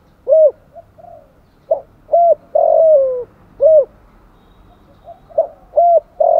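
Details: Urging coos of a spotted dove played as a lure: low hooted notes and a long downward-sliding coo, repeated in a steady phrase. A faint murmur of background noise sits under the calls.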